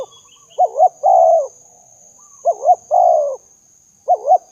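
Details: Call of spotted dove for luring doves: a soft lead-in note, then two short bouncing coos and a longer held coo, repeated three times about every two seconds. Background otherwise quiet apart from a thin hiss.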